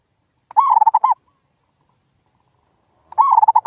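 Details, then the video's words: Lure recording of a zebra dove to get quiet local doves answering: two rapid, wavering coo phrases about 2.6 seconds apart over silence. "SUARA PIKAT PERKUTUT GACOR"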